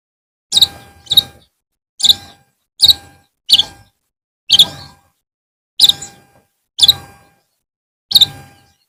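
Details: Long-tailed shrike in the afternoon repeating short sharp harsh notes, often in pairs, about nine notes over several seconds at an uneven pace.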